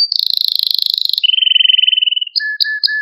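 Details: Male Maltese canary song meant to stimulate other canaries: a fast high trill, then a lower rolling trill, ending with short clear whistled notes paired with a low tone.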